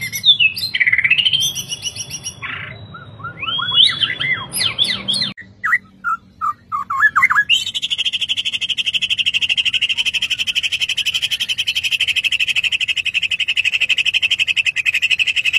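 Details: Captive Borneo white-rumped shama showing an insistent bowing display: varied whistled and chattering phrases in the first half, then a long steady buzzy trill held for several seconds.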